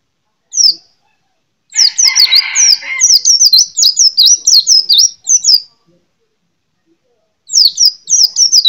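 A white-eye sings bursts of rapid, very high, slurred twittering notes, several per second, separated by short pauses; a brief harsher rasp sounds early on.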